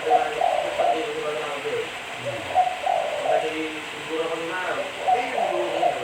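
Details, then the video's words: Spotted dove cooing: a low, mellow multi-note coo phrase repeated roughly every two and a half seconds, three phrases in all, over a steady background hiss and faint low hum. "Suara Burung Tekukur Bersih"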